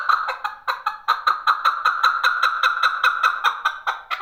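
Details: Male chakor partridge giving a loud, rhythmic series of hoarse chuck notes, about six per second, evenly repeated throughout with slight pulsing emphasis, no other sounds.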